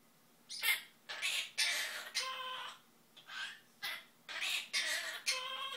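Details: A male pet Quaker (monk) parakeet gives a run of harsh, buzzy phrases with some tonal notes, singing Zip-a-dee-doo-dah and the SpongeBob theme and saying peekaboo, happy birthday, bye bye and I love you.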